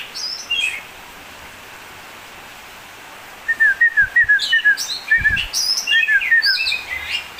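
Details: Oriental magpie-robin singing: a few high whistled notes, a pause of about three seconds, then a fast run of short sweet chirps near the middle of its range mixed with higher sliding whistles.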